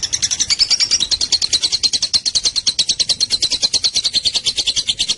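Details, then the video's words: A lovebird ngekek panjang, the long chattering burst that should set other lovebirds calling back: dense, shrill, machine-like pulses repeated rapidly and steadily from start to finish. "Burung Lovebird manapun akan nyaut dan ngekek panjang setelah dengar ini"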